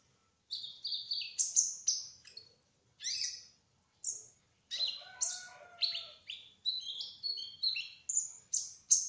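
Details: Kolibri ninja trotol (brown-throated sunbird) in energetic gacor song: clusters of high chirps and sliding whistles with a brief lower buzzy element in the middle, turning into fast repeated notes toward the end.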